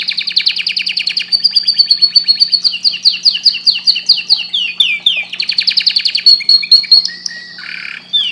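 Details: Canary singing a long, rapid song of fast repeated trills and sweeping chirps, high and bright, running almost continuously with only brief pauses, plus a low steady hum underneath.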